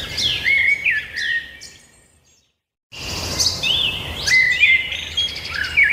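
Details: Birds singing in a chorus of bright chirps and short whistled phrases. The sound drops to complete silence for about a second midway, then the overlapping high twittering resumes, louder.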